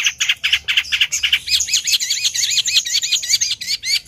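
Long-tailed shrike in energetic song: harsh chattering notes, then a fast run of high, looping twitters, about six a second, with no other sounds.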